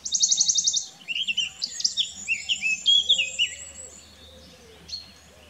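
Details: Eurasian blackcap (Sylvia atricapilla) song: a fast, high chattering trill, then rich, fluty whistled phrases wandering downward over a faint low hum.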